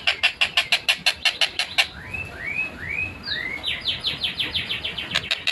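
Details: Long-tailed shrike (tengkek buto) in clear, fast, tightly paced song, recorded 14 December 2025: a rapid run of harsh rasping notes, four rising whistled slurs, then another quick chattering series.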